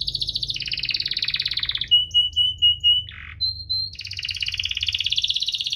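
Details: Canary singing chirping and rolling phrases, cuit-cuit ngerol, to encourage lazy canaries to sing. Rolled trills alternate with a row of clear piping whistles, a short harsh buzz, a brief high whistle, then a long rapid trill.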